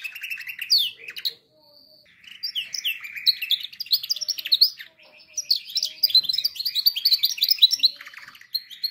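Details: Canary singing as a training recording for canaries, mixing clear whistled notes, buzzy rolling trills and rapid high chirping phrases with brief pauses.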